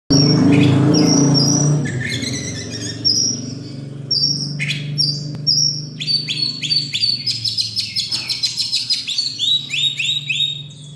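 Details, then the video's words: First-place winning oriental magpie-robin (kacer) at a bird festival and song contest on 26 November 2023, pouring out whistled phrases and fast repeated chattering notes over a steady low crowd and engine-like hum. "Kacer Juara 1 Festival dan Lomba Burung 26 Nov 2023"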